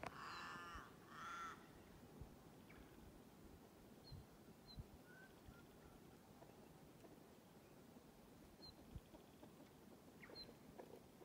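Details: Male common pheasants arguing in a fight at Palana, Flinders Island, Tasmania, on 7 June 2020: two loud, harsh, rasping squawks in quick succession, then quiet, with faint distant chirps and outdoor background noise.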